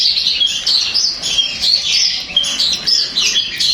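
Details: Long-tailed shrike song meant to trigger an answering song from another shrike: a steady flow of high, rapid chattering and short twisting whistles.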